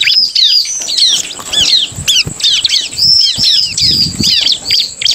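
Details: Bar-winged prinia giving its rival-provoking song: continuous high, squeaky chirping made of quick downward-slurred notes, with faint low rustling beneath.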